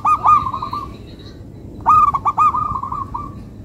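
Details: Local zebra dove song: a rapid rolled trill that trails off, a silence, then a phrase of sharp stuttering coos running into a long, softly fading purring trill.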